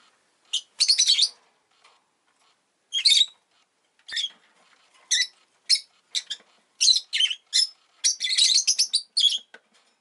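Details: A pet rosy-faced lovebird, at a time when an egg has been laid, gives shrill, high chirps in short bursts and quick runs, some harsh and buzzy, with brief pauses between, with town noise such as traffic possibly behind.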